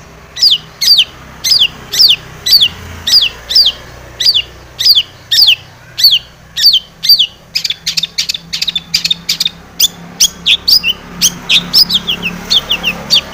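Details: Long-tailed shrike in energetic song, used as a lure to make birds sing: sharp downslurred notes repeated about once a second, then speeding into denser chattering bursts toward the end.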